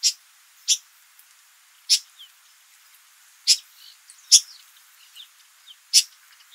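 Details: A male Rüppell's weaver building its nest in Jeddah, Saudi Arabia, gives sharp, high chip calls at an uneven pace, about one every second, with faint softer chirps and light background noise between them.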